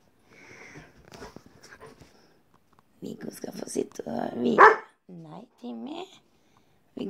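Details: Pet macaw in a bathroom, chattering at its reflection in the mirror: speech-like babble and a loud harsh burst, followed by two short, wavering, harmonic calls with quiet gaps between them.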